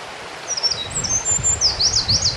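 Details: Eurasian wren singing along the Kogesawa forest road in Ura-Takao: very high, rapid jingling trills and sharp up-and-down twittering notes pouring out in a fast run, with faint rustling and low background rumble.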